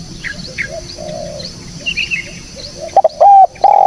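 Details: Spotted dove lure recording: soft, distant coos and scattered high chirps of other small birds, then a sudden burst of loud, close, mellow coo notes near the end.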